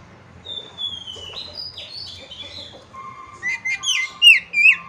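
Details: Oriental magpie-robin singing: a thin descending whistle and quieter varied notes, then a louder run of sweet slurred whistles over a steady low tone and soft background rumble.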